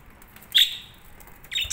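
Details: Budgerigars in a colony setup: two short bright chirps, the first a sharp high note sliding down, the second a quicker pair of high tweets near the end.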